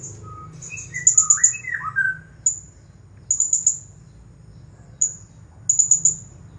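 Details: Blue-crowned hanging parrot, a champion bird in the 'nagih hutang' song style, giving high, piercing chirp bursts of two to four notes, with lower slurred whistles from another bird early on.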